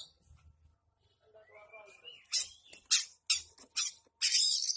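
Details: Oriental magpie-robin singing a harsh song mimicking long-tailed shrike; a few faint low thumps, then a rising whistled glide, then loud raspy, scratchy bursts repeated about every half second.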